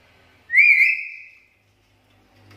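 A black-capped lory gives one clear, wavering whistle that rises a little then holds steady for about a second before fading. The background is quiet.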